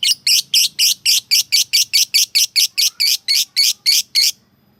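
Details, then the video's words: Lovebird calling a rival: a series of about eighteen harsh, high squeaky notes, each short and buzzy, repeated roughly four times a second at steady loudness, then stopping abruptly into near silence. "Suara Burung Lovebird Memanggil Lawan Memancing EMOSI, AWAS NYAUT !!"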